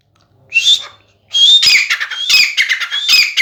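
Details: Sindhi grey francolin, a 'chakri wala' calling bird said to manage 270 calls per minute: two shrill whistled notes, then a rapid run of harsh, scratchy, clicking call phrases.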